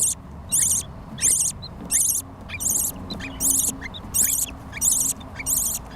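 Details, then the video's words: Australian budgerigar chicks begging while their mother feeds them in an aviary in Lahore: loud, harsh, raspy bursts repeated roughly every 0.7 seconds in a steady rhythm, with a low background hum. "Australian budgie parrots mother feed to babies"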